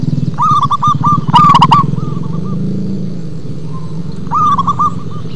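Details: Local zebra dove with a deep, bassy song: rapid bubbling coo phrases at the start and end, heavy low vehicle-like drone throughout.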